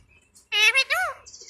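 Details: Talking pet Indian ringneck parakeet replying after being asked its name in Bangla: one short burst of two or three hoarse, buzzy, harmonic syllables, the last arching up and down, in a quiet room.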